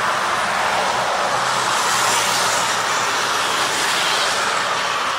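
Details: Loud, even roar of broadband noise, like passing traffic or strong wind, runs throughout with no animal voices.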